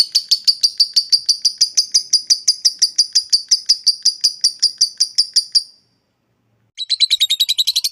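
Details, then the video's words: Lovebird ngekek trill for provoking rivals: nearly six seconds of rapid, regular high pulses, a brief silence, then a new harsher rattling burst. "suara lovebird ngekek panjang fighter bikin jebol birahi"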